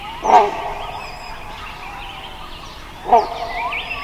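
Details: Wild Great Hornbill: two short, harsh, barking calls about three seconds apart, standing out over steady twittering from smaller birds.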